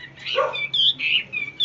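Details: A fully tamed, crouching caged hwamei sings a quick run of loud, clear, high whistled phrases, each short and slurred, just after a brief rough bark-like sound.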